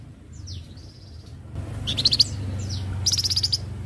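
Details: Flamboyan bird in lively 'gacor' song, used as a tutor recording for other birds: high, thin descending whistles followed by fast stuttering trills, over a constant low hum.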